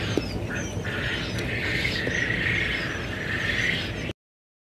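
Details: Many quail chicks recorded 15 February 2021, producing rapid high-pitched peeps several times a second in a chattering mass over constant loud noise, ending abruptly in silence.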